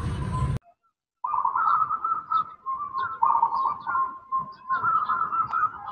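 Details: Female zebra dove calling a male, giving sustained, wavering, purring coos with pulsing loudness that go on almost without a break. A short burst of noise comes before them.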